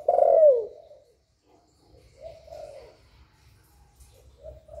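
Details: Spotted dove calling and cooing to stimulate other doves: one loud, low, falling coo at the start, followed by softer coos trailing off over the next few seconds.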